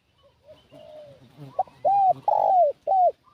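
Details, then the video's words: Luring wild doves, a spotted dove gives a soft drawn coo, then a sharp short note and three strong hollow coos, the middle one long and falling, over low background rumble. "Mendengar Suara Pikat Burung Tekukur Ini Langsung Melambung Pencari Pikat"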